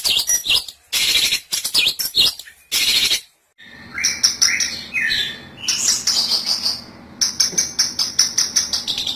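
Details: Lure for trapping long-tailed shrikes: harsh scratchy bursts first, then a quieter stretch of slurred whistles and chatter over a steady low hum, ending in rapid ticking notes.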